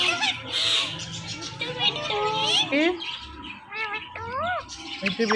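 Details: Male and female Indian ringneck parakeets kept as pets, making morning sounds and voices. Mixed chirps and gliding harmonic notes with background noise, ending in a pair of rising-falling whistled calls.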